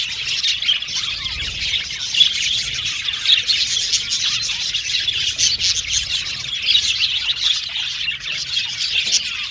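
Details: Budgerigars in an aviary colony, many birds chirping at once: a dense, continuous warbling chatter of high twittering notes and short squawks, with no pauses and steady loudness throughout.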